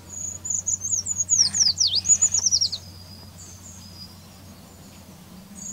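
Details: A Eurasian treecreeper in the Wittlicher Tal gives a very high, thin run of quick notes that dip and rise into a brief trill, over a faint low hum.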